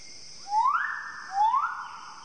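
Magnificent Riflebird giving two loud, musical whistles, each rising sharply then holding steady, about a second apart, over a steady high insect hum.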